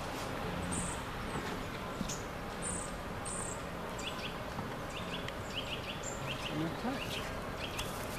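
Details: At Linacre, a Eurasian treecreeper gives three very high, thin, sibilant notes early on, while another bird repeats short chirps in the background over steady low hum and noise.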